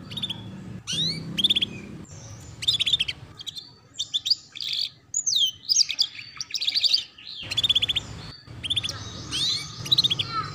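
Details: Training song for young canaries to learn ngeriwik: repeated phrases of fast descending chips and whistled sweeps separated by brief pauses, with a low hum in the background.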